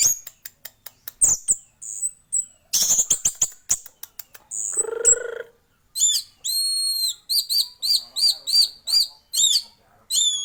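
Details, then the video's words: Energetic song of a male orange-headed thrush: quick high chirps and clicks, a harsh buzzy note, then evenly spaced pure whistles repeated about twice per second. "burung anis merah jantan gacor full sampai telerr"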